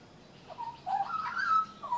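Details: Young leucistic Australian magpie on a railing, mid-song: a low warbled note, then a rising run of gurgling, fluting notes that swells into a sustained bright whistle.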